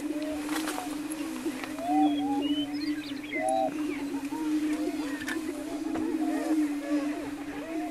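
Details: A low, even humming drone from greater prairie-chickens on their lek near Wray, Colorado, April 17, 2011, overlaid with busy rising and falling whoops, cackles and brief high whistles from many displaying birds.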